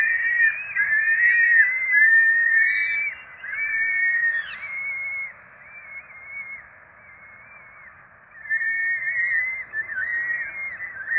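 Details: Four Peregrine falcon chicks being fed at a nest in Rome on 12 April 2024 give thin, wavering whistled begging calls. The calls rise and fall, overlap and repeat rapidly, fade briefly midway, then return strongly.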